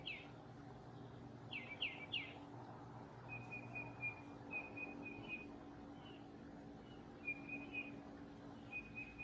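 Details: Gray catbird singing like a mockingbird, quiet and somewhat distant: a few quick, bright upswept notes near the start, then short thin chips in little repeated bursts at a steady high pitch, over a constant low background hum.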